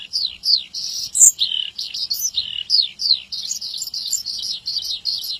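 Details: Javan bush lark in energetic song for tutoring caged birds: sweeping downward slurs, buzzy bursts and a sudden bright high note, running on in a busy, irregular flow.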